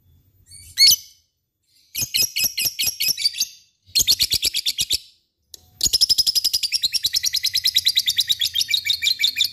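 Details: Lovebird singing in the ngekek style, used as a lure to get quiet, lazy lovebirds singing: a sharp chirp, then two bursts of rapid high chattering, then a long, fast, unbroken trilling chatter to the end.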